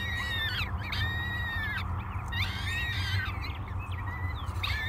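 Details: Three hungry peregrine falcon chicks beg at breakfast at Great Spirit Bluff, 24 May 2022, on a live nest cam: shrill, harmonic, wavering wails in bursts of about a second, repeated several times over a steady low rumble.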